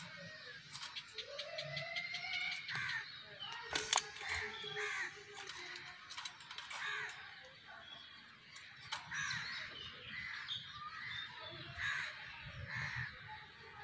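A hill myna gives a quick run of harsh, croaking chatter mixed with clear whistles, sharp clicks and speech-like phrases, with a thin high whistle running faintly behind.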